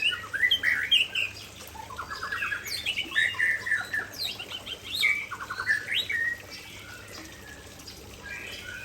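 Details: Aceh white-rumped shama delivering its prized isian fill-in phrases: rapid, dense run of bright whistles, buzzy rattles and up-and-down slurs, loud for about six seconds, then quieter notes against a steady hiss.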